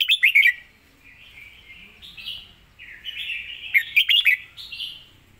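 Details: Red-whiskered bulbul, its song praised for clear melody and quick, clean notes, giving two bursts of sharp rapid chirps linked by a smooth, softer warbling phrase.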